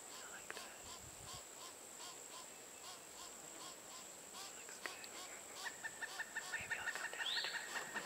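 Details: Female Pileated Woodpecker chick in a nest cavity at Chassahowitzka WMA, close to fledging while adults coax her for hours to leave. Soft, faint notes give way to a fast, even run of short, clear repeated calls near the end, with a steady high insect hiss throughout.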